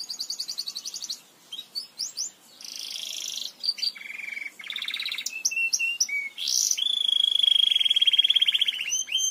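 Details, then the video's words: Belgian canary in song, recorded to teach canaries: a mix of rapid trills, buzzy bursts, short pure whistles and a long steady whistled note broken into fast pulses, all high-pitched with brief gaps. "CANTO PARA ENSINAR CANÁRIOS BELGAS"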